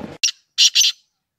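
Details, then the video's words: Black francolin giving three harsh, grating notes: a short rasping burst followed by two longer, louder buzzy notes in quick succession, the whole call lasting under a second; a brief murmur of background noise just before. "kala Teetar ki Awaaz کالے تیتر کی آواز"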